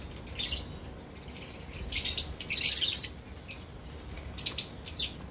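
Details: Breeding colony of caged lovebirds chattering, with quick, high, scratchy chirps clustered in loud bursts, the densest in the middle, and softer squeaks between.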